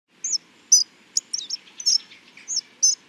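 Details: Hawfinch song, heard in nature: short, very high, thin notes, some slurred downward, given in a loose series of about eight bursts over three seconds with a faint background hiss.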